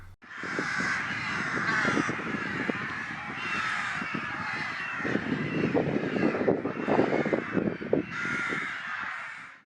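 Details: A dense, unbroken chorus of harsh, overlapping caws from a huge colony, described as ravens, at Dornum on the North Sea coast of East Frisia, Germany, with over 1000 breeding pairs counted in 2021; many birds call at once without pause.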